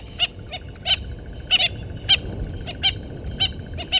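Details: Family of Natal spurfowl by a dam in Djuma Game Reserve, Sabi Sand, South Africa, dated 09/11/19, live camera recording: a rapid series of about a dozen harsh, crackling squawks, some paired, with a constant high drone beneath.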